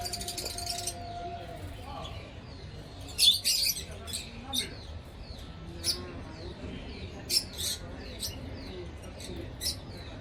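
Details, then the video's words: Yellow African lovebirds kept as a couple give short, high, clipped chirps spaced irregularly, some louder and harsher, with a faint low hum underneath throughout. "Love Birds chirping sound"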